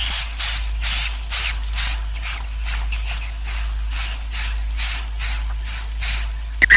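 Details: Swiftlet roosting colony sound used so the colony multiplies: a regular train of short hissing bursts, each carrying a thin high whistle, repeating roughly every half second over a low hum.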